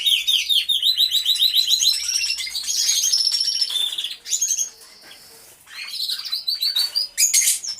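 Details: Canaries singing together in an aviary, real sound from a hidden camera: even rolling trills repeated several times a second, then a sustained high whistle during a quieter stretch, and renewed chirping trills afterwards.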